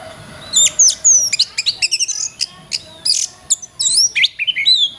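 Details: Oriental magpie-robin song used as a master track for training songbirds: rapid varied phrases of high whistles, sharp upslurred notes and short trills, delivered in quick bursts with brief gaps.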